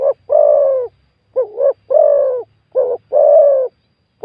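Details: Spotted dove giving deep, rounded coos in a quick run of five notes, the long ones level and mellow, the short ones slightly dipped; a large-voiced wild-caught bird used in a dove-calling contest in Thailand.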